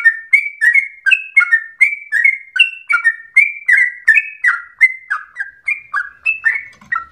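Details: Long rapid song of an actively singing yellow-vented bulbul, resembling a straw-headed bulbul: rich, slurred whistles about three per second, alternating pitch, ending with a brief faint low noise.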